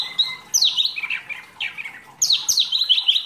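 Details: Mini wambi in full song as masteran material. High sharp notes drop into rapid twittering phrases, and the sequence repeats twice with brief pauses.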